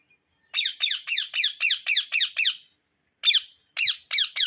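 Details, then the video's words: Indian ringneck parakeet giving loud, harsh, rasping chirps in a fast regular run of about nine notes, a pause, then three more, in an otherwise quiet room. "Parrot🦜 Talking Natural Chirping 🎶 Sound So Beautiful Lovely Amazing Voice😍 Mithu Non -Stop Ringneck"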